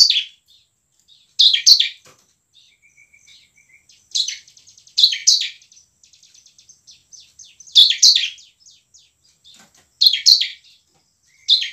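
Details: Bar-winged prinia singing hard in ngebren and nembak style to stir sluggish birds into song and fighting; scattered bursts of shrill chirps linked by soft trains of quick ticks.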